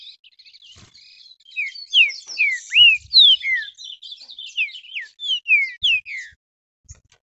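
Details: Green-winged saltator, a kept bird, singing excitedly while being stirred up against another bird: loud series of clear whistled notes sliding downward, repeated rapidly with short gaps, over fainter high chatter; a few soft knocks below.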